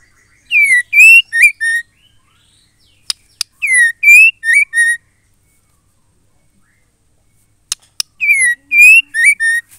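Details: Female white-rumped shama, whose song is used to make male shamas sing. The same four-note whistled phrase of falling, rising and hooked notes is heard three times, each time preceded by sharp double clicks, with quiet gaps between.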